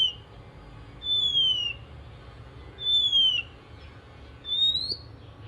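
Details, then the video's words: Oriental magpie-robin in the morning, singing in a way said to spur other magpie-robins to sing: three loud, pure whistled notes about two seconds apart, the first two sliding downward and the last rising, over a quiet hum. "kicau kacer dipagi hari mampu merangsang kacer lain ikut bunyi"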